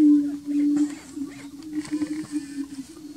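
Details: Greater prairie-chickens on the Bledsoe Ranch lek, heard as a continuous low, hollow moaning drone with faint overlapping notes and little else.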